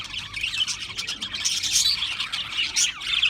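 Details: Several Australian parrots making harsh, scratchy squawks mixed with thin whistled chirps, a dense, steady high-pitched wall of chatter with no clear pauses.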